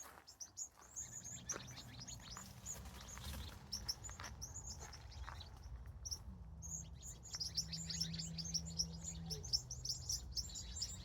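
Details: Birds calling at sunset on a California evening: a dense chatter of high, thin chirps and tweets from many birds at once, over a low steady hum.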